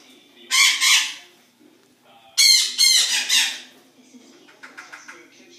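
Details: Morning at a zoo with noisy birds: two pairs of loud grating squawks, followed by softer, quicker chattering calls.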